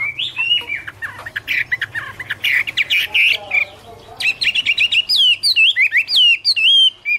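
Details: A Chinese hwamei sings in autumn, 2017. Busy, scratchy chatter gives way to bright whistled notes that swoop up and down, repeated rapidly. A steady low hum runs underneath.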